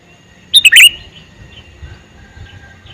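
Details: A male sooty-headed bulbul calls once: a short, bright, gurgling burst of three notes early on, followed by soft, distant whistled notes from other birds.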